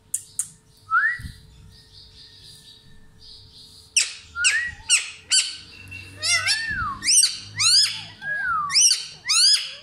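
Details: Parrot calling indoors: a faint rising whistle early on, then from about four seconds a rapid run of loud, harsh, harmonic squawks and bending screeches, several a second, with a low hum in the background.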